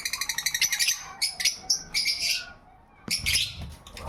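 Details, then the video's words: Small pet parrot singing indoors: a quick run of bright harmonic chirps, about four per second, then buzzy warbled bursts separated by short pauses, ending in a louder squawky phrase over faint low room rumble. "Small Parrot Singing Like a Pro"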